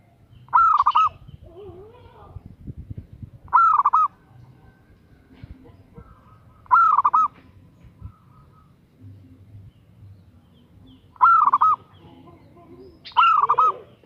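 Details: Calling a male, a female zebra dove repeats short clusters of quick, bubbling coo notes about every two to three seconds, five bursts in all, over faint background noise.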